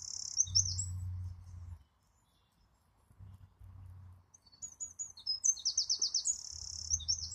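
A wren sings high, rapid bursts of sharp notes and trills, with a fast rattling run near the end; a low rumble sits underneath.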